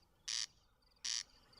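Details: Corncrake (Crex crex), a rare meadow bird in Switzerland, with males singing in grasslands at night. Harsh, dry, two-syllable rasping notes, each about a fifth of a second long, repeated rhythmically every half to three-quarters of a second.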